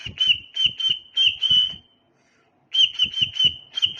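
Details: Tame pet cockatiel giving clear, high whistled notes in two bursts, each a run of about five short steady tones with faint clicks between them, separated by a silent pause of under a second.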